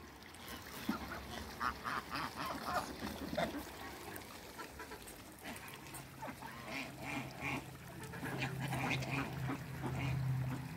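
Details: Toulouse geese playing in water in a backyard farm, giving repeated nasal honks and quacking calls at irregular intervals, with splashing water and steady low background noise throughout.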